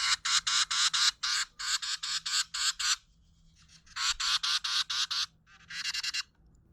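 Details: A Carolina Wren gives raspy scolding alarm calls, whose pace depends on the level of threat, in harsh bursts repeated rapidly in runs of four to six with short pauses between.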